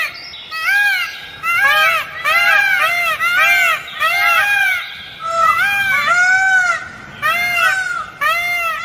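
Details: Green peafowl calling repeatedly in a series of strong, honking, down-curved notes, roughly one per second, with the bursts overlapping as more than one bird seems to join in.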